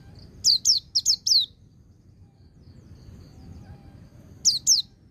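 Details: Song of a white-eye, ngecir sambung ngalas type, for conditioning young birds: four rapid piercing downslurred whistles, a long quiet stretch with faint hum, then two final notes.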